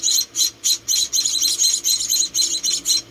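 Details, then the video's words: Four rescued baby munias being fed, uttering rapid high, hissy chirps, about three to four each second, with a faint low hum behind. "Rescuing and Feeding Four Tiny Munia Babies"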